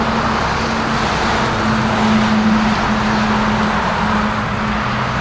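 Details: Steady road traffic roars with a droning engine tone, and no geese or other animals are heard.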